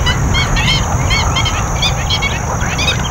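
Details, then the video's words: A noisy group of black-winged stilts at the Basai Wetlands in Gurugram, India, gives sharp, yapping kek notes, several birds overlapping at a rapid pace, over a steady low rumble of wind or background noise. "What does a black-winged stilt sound like? Stilt call"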